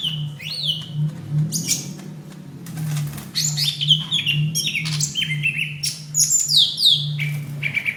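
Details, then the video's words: Greater green leafbird giving its fighting call, May 2016, as a training recording for other birds: varied, rapid chirps, rising and falling whistles and harsh squawks, with a persistent low humming background. "suara cucak hijau tarung"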